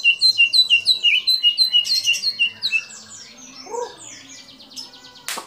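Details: White-rumped shama in energetic song mixed with mimicked kapas tembak, cililin, lovebird and canary phrases; quick repeated slurred whistles for about three seconds, fading into softer twitters, a short low note and a final sharp click.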